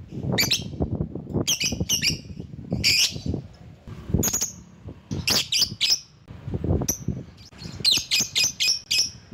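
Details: Lovebird calling to lure rivals: irregular harsh, raspy high squawks and chirps, ending in a fast string of sharp chirps, over a busy low-pitched background.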